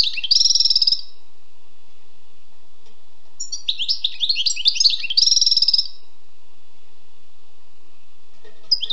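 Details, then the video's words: Wild European goldfinch song mixing a buzzy, rattling trill with quick tinkling, twittering phrases, repeated after a quiet gap, then a final short note. "Écoutez et appréciez le doux chant du chardonneret sauvage"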